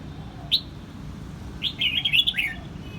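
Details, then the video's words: In Quang Nam, Vietnam, a red-whiskered bulbul gives one sharp upslurred chirp, then after a pause a rapid, lilting run of five or six clear whistled notes that wobble up and down. "Vietnam bird is singing!越南广南戴帽鸟之歌"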